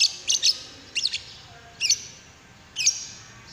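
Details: Lovebird calling, used as a prompt to get another lovebird singing: sharp, high, shrill chirps in quick pairs or triplets, repeated roughly every second against a quiet background.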